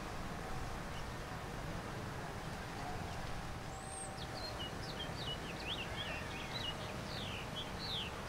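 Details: Male-style warbling song of a house finch on a rose arch in a Houston, Texas garden: after several seconds of low city-park rumble, a rapid run of high twisting, slurred notes rises and tumbles on.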